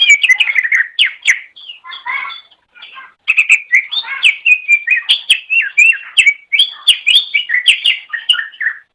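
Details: Greater green leafbird song for training pet birds: a continuous, lively stream of varied whistles, chirps and slurred notes, loud and fast, with one brief pause near the middle.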